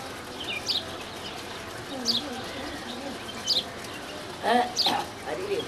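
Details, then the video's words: Female house sparrow at Valparai uttering brief high chirps about every one and a half seconds, then a lower, denser burst of notes near the end over faint background noise. "Chirpping sound of a Female House Sparrow"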